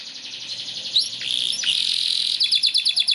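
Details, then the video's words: Belgian Bossu canary singing a rolling song; fast repeated high notes about three per second, then sweeping whistled slides, ending in quick rhythmic pulses, over a faint low background murmur. "KENARI BELGIAN BOSSU GACOR NGEROL"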